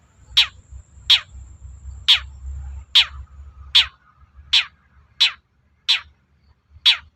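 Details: Long-tailed shrike giving a provoking song meant to make other shrikes reply: a series of harsh, rasping, downward-sweeping calls repeated roughly every second over a quiet low hum.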